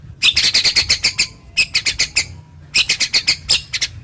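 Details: Harsh, sharp 'tembakan' song of a white-rumped shama (murai batu), played to stimulate reluctant shamas to sing: three fast bursts of rattling, scratchy high notes separated by short pauses.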